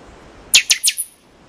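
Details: Buffy-fronted seedeater, known as pixoxó, delivering three explosive, sharp, high staccato notes in rapid succession, then silence over faint background hiss.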